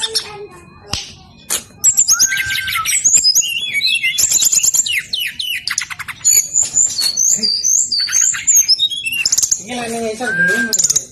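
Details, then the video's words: Brown-chested jungle flycatcher in full, insistent song used to coax other captive birds into singing; after a quiet start, a long, busy stream of high twittering, buzzy trills and varied whistles, with some low squawking notes near the end. "BURUNG SIKATAN RIMBA DADA COKLAT NGOTOT POOL.... SRDC LAEN PASTI LANGSUNG EMOSI"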